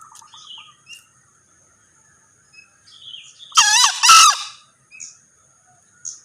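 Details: Rasping two-syllable crow of a male green junglefowl, the second syllable strongest, standing out above scattered faint chirps from other birds before and after.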